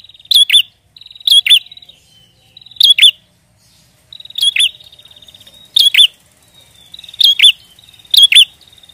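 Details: Prinia singing steadily, used as a trapping lure. Seven phrases, each a thin rattling buzz followed by two emphatic wavering chirps. The phrases come roughly every second in a quiet setting.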